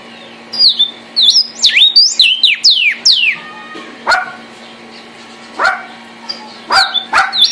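Northern Cardinal singing a quick run of clear, down-slurred whistles, then slower, spaced slurred notes, over a low steady hum.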